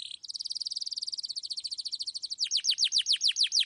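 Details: Domestic canary singing in a clear voice, used as a lure to get young canaries singing: a fast, even trill held for over two seconds, then a run of slower, sharply falling whistled sweeps repeated about four times per second.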